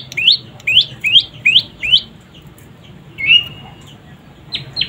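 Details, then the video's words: Juvenile prinia, known locally as prenjak lumut or prenjak pyeng, calling: a run of five sharp rising chirps about every half second, then a drawn-out slurred whistle and two brief closing notes over quiet background hiss. "Suara anakan burung prenjak lumut"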